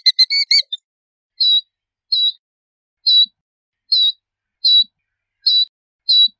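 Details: A Killdeer opens with a brief quick burst of rapid notes, then gives short clear high piping calls repeated about every 0.7 seconds, clean and unaccompanied.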